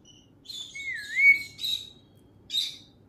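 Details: Pet parrot whistling: a clear, smooth whistled note that dips and then rises, held for about a second, with brief buzzy chirps before and after.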